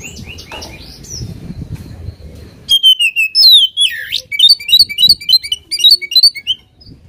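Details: Oriental magpie-robin in vigorous song used to goad a rival: after a low background rumble, long falling whistles give way to a quick string of bright, varied chirps.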